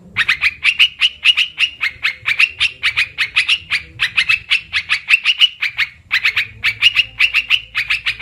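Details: Olive-winged bulbul, its call used to lure birds for trapping: a long, unbroken stream of rapid, ringing chatter notes with a single short pause before the final stretch.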